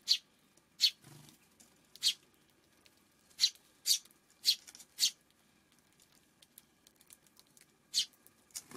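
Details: Afternoon recording from June 5 of a Eurasian tree sparrow calling loudly with clipped, sharp chirps, delivered singly or in pairs with irregular gaps of up to two seconds, over a quiet background.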